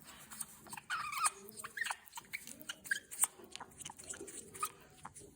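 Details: Pet female African grey parrot, about 17 to 18 years old, kept in a home in Denmark, gives short whistled notes and sharp clicks scattered through the clip, with soft chewing-like rustles in the background.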